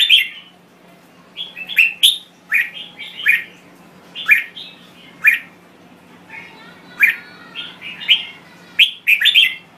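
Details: Thai red-whiskered bulbul singing: loud, short, bright warbled phrases with sharp upward flicks, repeated in quick groups separated by brief pauses, with a faint low hum behind.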